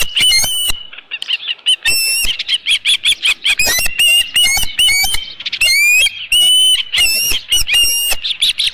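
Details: Nesting osprey with a headless fish, 27 June 2018 at midday: bursts of high whistled chirps broken by short gaps, some notes sliding steeply upward, delivered in uneven clusters.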